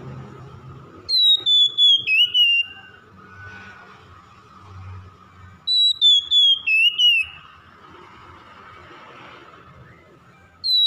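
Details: Oriental magpie-robin song used as therapy for a stressed bird that will not sing. A clear, falling whistle is broken into short pulses and comes twice, about five seconds apart. A steady low hum runs beneath.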